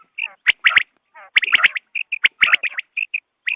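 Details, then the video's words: Quail at dawn, recorded as a hunting lure: single bright chirps alternate with clumps of rapid scratchy notes and sharp clicks, plus a few soft descending trills between bursts. "batair ki awaz subha k liye"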